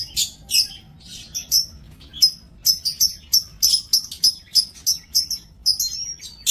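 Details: Caged lovebirds in an aviary on 5 July 2024 give a steady series of sharp, high chirps, about three per second, with a faint whistle near the end.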